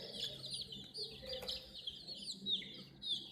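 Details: A flock of baby chicks beside a toy JCB crane peeps rapidly, high-pitched descending chirps overlapping in a lively, unbroken stream.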